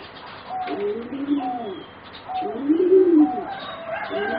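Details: Four young singing zebra doves, about 3.5 to 4 months old, bred for singing competitions. A quiet start gives way to two sets of rolling, arched coos, the second louder and fuller.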